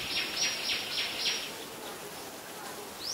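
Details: Common Myna (Acridotheres tristis) in Ubon Ratchathani, Thailand, on 7 May 2022, giving a rapid run of harsh, scratchy notes for a second and a half, then falling quieter and ending on a brief rising whistle.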